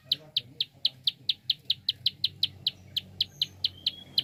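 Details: Prinia's fast clicking call, meant to stimulate other birds into song: crisp, high ticks spaced about four per second, evenly paced, with a faint thin whistle from another bird near the end.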